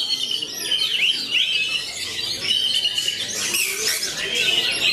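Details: Magpie-robin known as kacer matador singing a varied whistled phrase: short sharp upsweeps and held tones, then a burst of scratchy, buzzy high notes toward the end.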